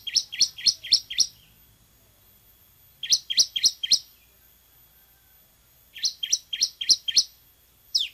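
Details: [1, 'Bar-winged prinia song used as a training recording, loud and semi-active: three bursts of five to six quick, high, sharp downslurred chirps, each burst about a second long with pauses of about two seconds between.']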